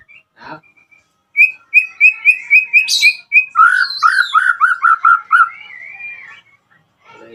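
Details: Murai batu, the white-rumped shama, singing to call a rival and provoke response: a rapid steady row of bright whistled notes, switching to a lower repeated series, then a gliding whistle.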